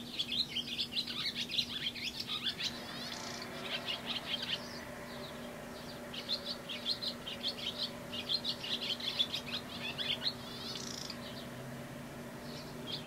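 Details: A male barn swallow, one of the first of spring 2011, sits still atop a light pole during an unusually long song, pouring out fast, high twittering warbles of chirps and buzzy trills in bursts, over a steady low mechanical hum, announcing his presence.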